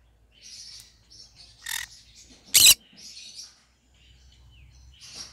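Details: Green-cheeked conure singing, a pet bird: soft buzzy high chirps and short warbles broken by a few sharp loud squeaks, with quiet low rumble beneath.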